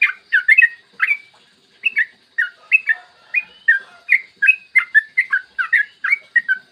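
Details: Yellow-vented bulbul giving a clear long rolling song in the morning, used to draw song from other bulbuls: steady stream of bubbly, slightly slurred whistles, about three notes per second, fairly even in rhythm.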